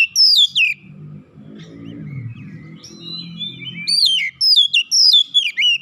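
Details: Oriental magpie-robin, roused by a lure, challenges aggressively with its learned repertoire: sharp descending whistled notes open, a quieter stretch with low murmuring background follows, then rapid bright zigzag whistles return.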